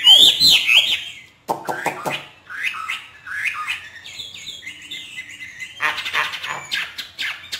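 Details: Hwamei from northern Vietnam, trained in captivity in the hót thả song style: a loud opening whistled flourish, then softer, scattered chirps and short twittering notes after a brief pause.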